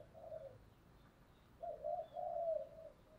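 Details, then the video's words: Decoy spotted dove cooing to call wild doves: soft, low, hollow coos, one short phrase followed after a pause by two longer drawn-out notes, over a quiet hissing background. "tiếng cu mồi thúc bổi và gáy gọi"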